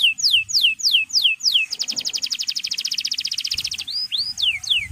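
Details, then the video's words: Male canary in full song used to call rivals: five falling whistled sweeps, a rapid even buzzing trill, then short curved chirps, with a faint low hum beneath. "Cuit Cuit Kenari Memanggil Lawan"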